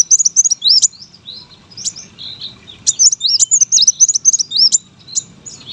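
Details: High, sharp twittering of a competition brown-throated sunbird, fast wavy whistled notes in quick runs separated by brief gaps, with a quiet low rumble in the background.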